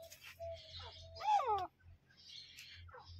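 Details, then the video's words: A female grey francolin (teetar) gives a short, harsh, downward-sliding call, with softer chirps and squeaks before and after it. "Teetar awaaz female quail sounds female grey francolin sound"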